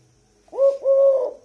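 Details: Tame Eurasian collared dove cooing at close range indoors: a short rising note followed by a longer steady coo, two syllables in quick succession, clear with a quiet background.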